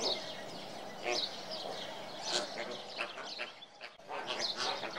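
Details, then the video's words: A crowd of flamingos gives overlapping nasal, goose-like honks and gabbling grunts, with louder bursts rising every second or so from the steady flock chatter. "Flamingo-صدای فلامینگو"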